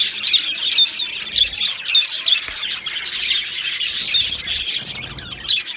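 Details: Australian budgies in an aviary colony, 15 July 2025, chatter with scattered squawks and short whistled notes over a continuous background of high, busy chirping.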